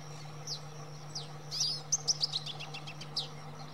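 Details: Masked Yellowthroat (Geothlypis aequinoctialis) at Esperanza, Santa Fe, Argentina, 2 November 2021, giving high, rapid chips and a quick run of sharp notes, under a steady low hum.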